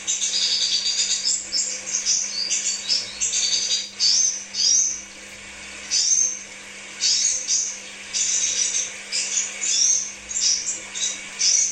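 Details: Crimson sunbird pancingan lure song: repeated bursts of very high, sharp chirps and quick sweeping notes, some phrases separated by one-second gaps, over a faint constant low hum.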